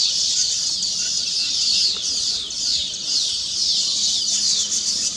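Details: Weaver birds celebrating completed nests with song; loud, crowded chattering of many birds, with waves of rapid, squeaky, descending twitters rising and falling every second or so.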